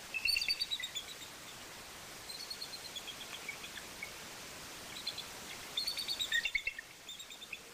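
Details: Eagles mating in Maine on a Friday morning at 06:23, 14 March 2014; an eagle gives thin, high chittering notes in short bursts of quick repeated chirps, a second or two apart, over soft outdoor hiss.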